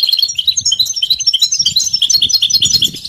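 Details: Mating and readiness twittering of the European goldfinch, aimed at coaxing a silent male: quick, pulsing chatter of high sweet notes, evenly paced with soft low rumble underneath.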